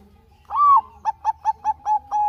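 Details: Singing Bangkok zebra dove, a lure meant to prompt lazy doves to sing: after a short pause comes a long rising-falling coo, then a rhythmic run of five short notes ending in a held tone.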